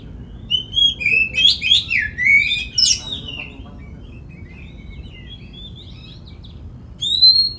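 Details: Oriental magpie-robin lure song to prompt others to sing their full repertoire and fan their tails; a rapid string of sweet whistled slurs and sharp notes, then quieter faint twitters, closing with one loud clear whistle.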